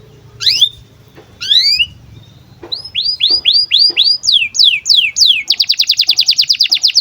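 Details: Canary in breeding condition, singing as a tutor for young birds: two separate rising whistles, then a run of curved upslurred notes, falling sweeps, and a fast buzzy trill at the end.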